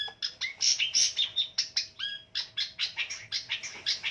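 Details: Long-tailed shrike fighter bird singing at full pace: rapid varied chatter mixing harsh buzzy notes with a few clear whistled slurs dropping and rising, packed closely at about two and a half notes per second.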